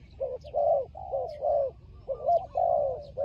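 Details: Short burst of fighting turtle dove calls from Cambodia where birds are trapped: about six deep, drawn-out coos running almost together, with faint high chirps of other birds.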